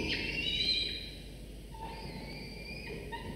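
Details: Falcon nestlings, a pair about 24 to 25 days old, call while being fed prey brought by their father at a nest camera; a loud shrill wail fades into softer, drawn-out whining notes.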